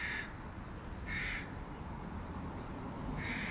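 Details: Young hooded crow begging from a tree near its mother as the male feeds one of its three fledglings fish; three loud, hoarse, drawn-out cries separated by pauses of about a second.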